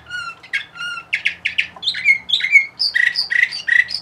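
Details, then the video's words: Indoor Bulgarian canary, Orpheus 2020, from Sofia: a few low drawn-out whistles lead into rapid repeated chirps, then a run of clear, slightly rising whistled notes in quick succession. "Bulgarian Canary Orpheus 2020"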